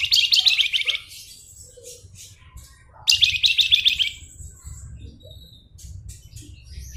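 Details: Chattering song of a Flamboyan, gacor: two energetic bursts of rapid, slightly harsh high notes about three seconds apart, each roughly a second long, with quieter chirps and low hum between.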